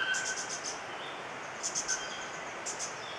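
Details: A star-throated antwren at Intervales, Brazil, in October 2013 gives very high, thin notes in quick bursts of two to five. Faint forest hiss and distant tonal calls are heard underneath.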